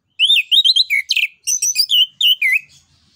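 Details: Orange-headed thrush, known locally as anis kembang or punglor kembang, singing in full 'ngeplong nembak' style, used as a lure to stimulate other birds: rapid high whistled phrases with sliding and warbled notes, about ten bursts over three seconds.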